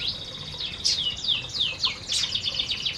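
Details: Feeding canaries in an aviary produce sweeping downward whistles over a continuous high trilling tone, with a few sharper chirps between.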